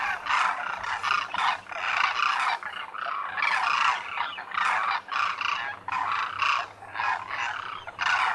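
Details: Wintering Demoiselle cranes (Koonj) massed at a lake at Khichan, Thar Desert, Rajasthan, India; a steady stream of harsh, rolling croaks from many birds, each burst under a second, with brief gaps between.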